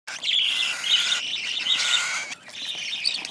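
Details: Cockatiel chick gulping hand-fed food: continuous harsh, raspy high begging calls in long buzzy bursts, briefly broken before resuming.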